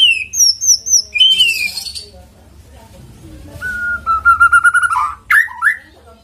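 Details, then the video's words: White-rumped shama lure song for bringing a bird into song. Descending whistled notes open the phrase, a pause follows, then a long steady whistle ends in sharp upward slurs. "PANCINGAN MURAI BATU AGAR GACOR CEPAT BUNYI"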